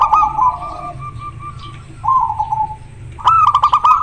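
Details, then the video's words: Local zebra dove in breeding condition, singing loudly and very clearly in the style called manggung. It gives strong, steady cooing phrases with a staccato, rapidly pulsed ending, in three bursts. "Perkutut lokal gacor sangat jernih suara lokal alam manggung koar koar over birahi"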